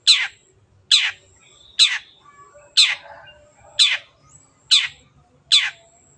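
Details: Long-tailed shrike in full lively voice, used as a lure to get sluggish birds singing: seven harsh, rasping, downward-sweeping notes about one per 0.8 seconds, with a thin steady high whine behind.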